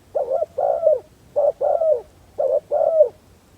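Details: Spotted dove used as a decoy to lure wild doves, calling a soft, low coo phrase three times: a short hoot followed by a longer, slightly falling coo, with each phrase about a second apart.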